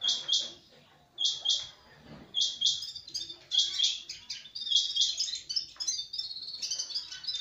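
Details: House sparrow chirping: short bright paired chirps, often doubled, repeated roughly once a second with brief pauses, becoming denser and more jumbled toward the end.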